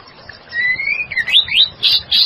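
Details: Female white-rumped shama singing lively, used as a lure: a long rising whistle, then quick looping slurred notes and two bright chirps.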